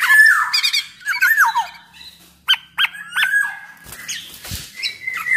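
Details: Podang mas, black-naped oriole, singing to draw song from other orioles; fluted down-slurred whistles, a pair of sharp doubled notes, then softer warbled whistles with a faint low hum.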